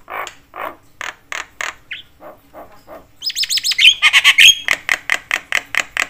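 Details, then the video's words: Javan myna, a busy caller said to provoke other mynas; soft rasping notes at first, then louder chattering with wavering high whistles and a steady run of harsh pulses. "jalak kebo gacor BAWEL sekali bunyi bikin semua jenis burung jalak emosi koar koar"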